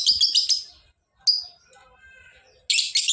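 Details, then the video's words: Singing lovebird opens with a rapid shrill trill, gives a single sharp chirp, then after soft quiet warbling resumes the fast buzzy trill. "Lovebird Gacor!!! Ngekek panjang"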